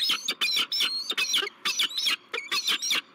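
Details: Peregrine falcons at a nest-cam site on a bluff in La Crescent, USA, 16 March 2023, a male meeting a new female: harsh, harmonic, chattering notes repeated rapidly in bursts, about a note per second, with a steady low hum behind.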